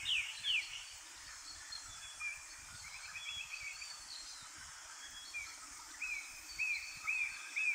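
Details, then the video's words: Three Eastern Rosella parakeets feeding on seeds hidden in alder cones at Kapiti, New Zealand; short sweeping chirps come in scattered bursts, rising and falling, over a steady hiss of background noise. "Three Eastern Rosella / Kākā uhi whero with Bird Song"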